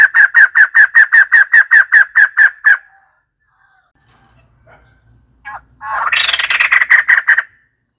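White-crested laughingthrush: a quick run of about a dozen hooting notes, a pause, then a loud, harsh, cackling burst of laughter-like chatter.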